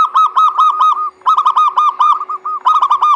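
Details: Zebra dove song played to get reluctant doves singing: three quick rolling runs of loud, bright, arched coo notes, each run of five to seven notes, a faint steady hum underneath.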